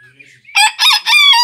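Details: Crowing Bearded d'Anvers rooster kept at a grandparents' place, a loud, harsh three-part crow in quick bursts ending on a sustained tone, with faint bird chirps just before.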